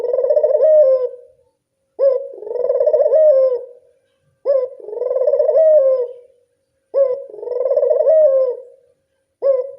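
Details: Repeated cooing of a local Barbary dove played to lure doves: brief rising attack, then a rolling, vibrating hoo lasting over a second, given steadily roughly every two and a half seconds in clean quiet.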